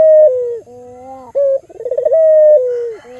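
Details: An albino local Barbary dove, used to stimulate other doves, gives a steady descending coo, a low soft hum, a short clipped note and a fast throbbing trill leading straight into another long coo.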